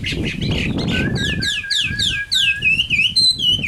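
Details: Caged Chinese hwamei, an adult wild-caught bird: after a low rumbling background, loud whistled song of fast descending slurs over a held steady note, then rising and falling warbled phrases with brief gaps.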